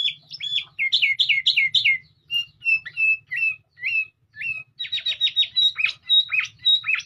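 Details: Sooty-headed bulbul song, melodious and varied: quick bubbly repeated notes, a few spaced clear whistles, then a rapid chattering sequence with hook-shaped slurs, over a constant low hum.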